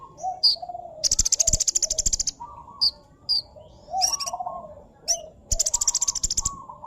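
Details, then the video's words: Sunbird in full song, mixing quick high chirps with rapid buzzy trills lasting about a second each, while lower whistled notes from another bird run underneath. "pesona burung kolibri gacor"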